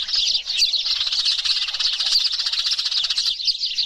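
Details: Noisy flock of Eurasian tree sparrows used as a lure sound, a dense, continuous chatter of high, overlapping chirps and twitters running without pause throughout.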